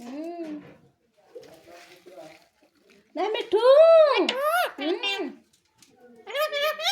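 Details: Pet talking parrot producing speech-like mimicry, strong arched harmonic syllables rising and falling between shorter quieter murmured phrases, with a loud burst in the middle and another at the end.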